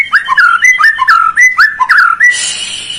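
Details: White-rumped shama song used to coax a reluctant bird to sing: a quick series of clear whistled phrases dipping and rising in mid pitch, ending in a harsher high rasping note.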